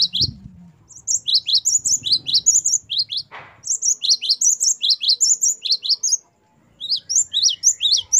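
A great tit sings a fast, high run of sharp chirping notes, several each second with short pauses. A low rumble sounds at the start.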